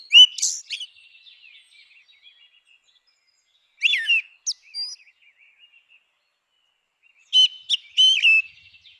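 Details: Grey-winged blackbird heard in natural habitat, delivering three separated bursts of complex warbling song with scratchy high notes and whistles, quiet soft twittering between them.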